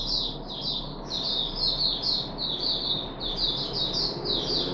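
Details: Puff-backed bulbul kept in a cage, third day of deworming, July 2021: a continuous stream of quick, high twittering notes, fairly soft and even, set against noticeable low hum and room noise.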